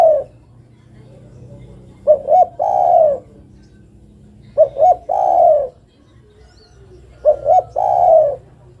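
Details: Spotted dove female calling for a male: repeated phrases, each two quick soft coos and a longer downward-sliding coo, spaced about two and a half seconds apart, with low background hum.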